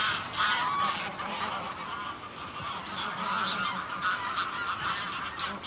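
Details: Greylag goose flock calling: continuous overlapping honks and chattering notes at mid distance, rapid and irregular, forming a busy nasal chorus with a slight low rumble beneath.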